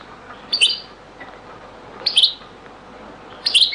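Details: European goldfinch in a very old recording of Beni Messous 'les avocats' (zaboka) song style: three short, bright, twittering high chirp bursts spaced about 1.5 seconds apart over faint background hiss.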